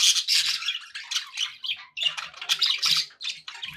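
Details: Budgerigars kept as pets, chattering happily: loud, rapid squawky warbles and chirps packed closely together, with hardly any pause.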